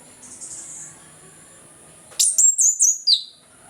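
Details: Orange-headed thrush's ngeplong song in the morning, played to get lazy birds singing: a short faint buzz, silence, then four or five piercing high whistled notes ending in a falling slur.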